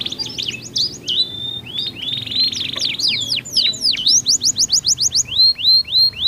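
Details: Canaries duetting in alternation with differing tones, played to coax other canaries into song: quick chirps, a long flat buzzy tone, then sweeping whistles and a run of rising notes repeated about three times a second.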